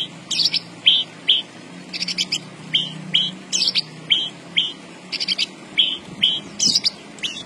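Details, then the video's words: Javan bush lark in lively song, repeating short high chirps alternated with rasping buzzy bursts at a quick, fairly even pace, some two notes per second, over faint low hum. "BURUNG BRANJANGAN GACOR BOSSKU"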